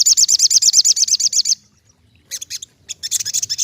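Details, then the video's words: Ruby-cheeked sunbird singing a fast, even series of high, thin trilled notes for about one and a half seconds, then after a pause two more bursts of rapid high twittering. "Terapy Bunyi Burung Sogokontong Gacor"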